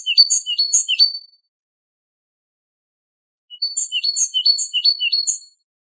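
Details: Great tit in Wedani-style song, recorded to teach captive great tits and goldfinches: quick repeated three-note high, bright phrases, about three per second, in two bursts separated by a long silence.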